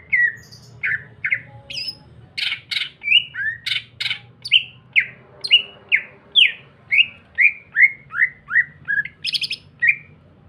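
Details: Greater green leafbird in full song, used as a lure to set other green leafbirds singing: a fast, nearly continuous stream of varied chirps, clipped squawky notes and falling whistles, roughly three per second, ending in a rasping burst.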